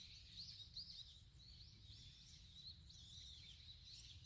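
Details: Countryside birds singing in rural surroundings, thin high chirps and twittering notes scattered throughout over a steady low rumble of background noise.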